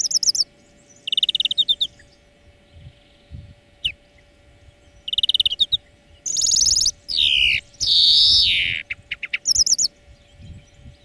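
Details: Greenfinch song on a lesson track for training birds. Rapid twittering trills and scattered single chirps lead into long wheezing buzzes, some sliding down, with a faint hum underneath.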